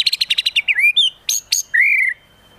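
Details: Contest-style white-rumped shama (murai batu) masteran with tembakan fills: a quick rattle of about eight sharp notes flows into slurred whistles, two steep high upsweeps and a long, slightly falling clear whistle.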